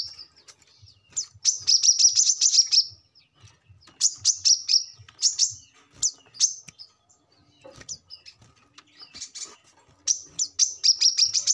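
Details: Brown-throated sunbird singing, recorded as a lure to train captive birds: bursts of fast, high, sharp chirps separated by quiet gaps of a second or more.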